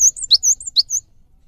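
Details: Caged Java sparrow in a lure song meant to make other birds sing: high whistled notes broken by two sharp downward chips, ending after one second.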